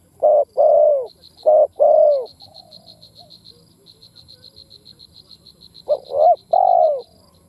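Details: Spotted dove calling in two bursts of low coos, short then long hooted notes, separated by a quiet gap with soft repeated high ticking insects or birds behind.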